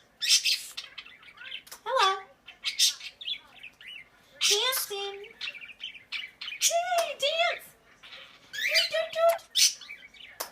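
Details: A female pet Quaker parrot, coaxed to say hello and dance, chatters in short bursts of harsh, downward-sweeping squawks and chirps, some sounding almost like words, with brief pauses between bursts.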